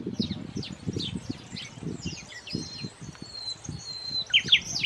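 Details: A European serin in Andalusia sings a fast, jingling stream of high, buzzy chirps and trills over a low rumble of background noise.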